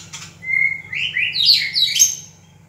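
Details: Singing white-rumped shama, a Ranong local bird from Thailand: a pure whistled note slides into a tumbling run of rich, rising and falling warbled phrases climbing high, then fading, with faint background hum.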